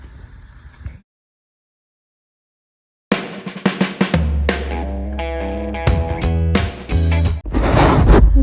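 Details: Quiet low rumble, a gap of silence, then drum-heavy music with snare hits and a steady bass beat; no animal sound.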